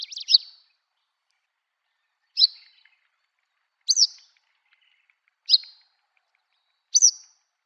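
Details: Song of an eastern yellow wagtail on the Shimo-Sarobetsu plain nature trail in Hokkaido, Japan: brief sharp, slightly buzzy high notes, single or doubled, repeated about every one and a half seconds in a quiet setting.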